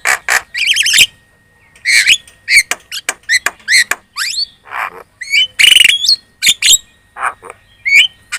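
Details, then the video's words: Javan myna, a lure song meant to make other birds answer: a busy, chattering run of harsh squawks, clicks and sharp whistled slurs, some rising steeply, with brief pauses between bursts. "PANCINGAN JALAK KEBO super gacor cerewet.di jamin burung kamu langsung nyaut"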